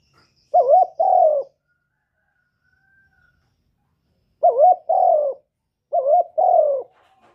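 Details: Spotted dove singing as a lure for other doves: three paired coos, a short wavering note then a longer falling one, separated by pauses of several seconds.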